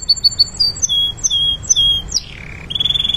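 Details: A canary's training song: clusters of quick high chirps and short whistled sweeps, a sharp downward slur, then a steady rapid trill building at the end.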